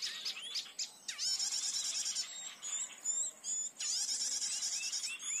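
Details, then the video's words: Lure sound for trapping a blue-headed flycatcher in forest: bright high twittering with sharp downward-swept whistles, dense rapid notes in bursts separated by brief pauses. "Pikat Burung Sikatan Mantap"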